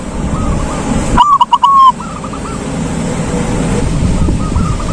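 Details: Silver zebra dove delivering a single loud ngalung phrase, quick stuttered coos closing in a long coo. Fainter answering doves sound before and after over constant low rumbling noise.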